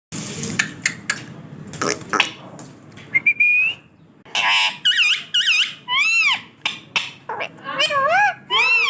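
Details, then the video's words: Parrot vocalizing: scratchy clicks and splashy, noisy bursts at first, then a run of looping whistles that swoop up and down, repeated in quick succession. "parrot talking"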